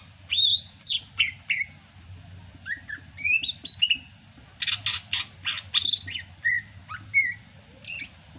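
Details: Greater green leafbird from Sumatra still in full song during the rainy season. Loud, fast medley of bright whistles and upslurred notes broken by harsh buzzy bursts, with scratchy chirps between phrases.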